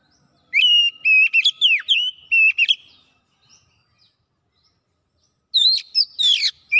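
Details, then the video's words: Oriental magpie-robin in vigorous gacor song unloading its varied repertoire: rapid clear whistles, upswept slurs and chattering notes for over two seconds, a long silent gap, then another burst of sharp whistles and trills. "KACER MALAS BUNYI NYAUT GACOR BONGKAR ISIAN"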